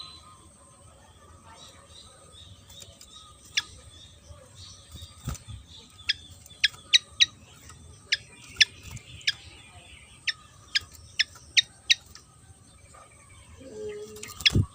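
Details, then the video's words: Javan fantail, an insect-eating bird, gives thin, sharp high notes at irregular intervals over a steady low hum. Soft clicks are audible and a brief low noise comes near the end. "burung SIKATAN JAWA//SIKATAN KIPAS gacor"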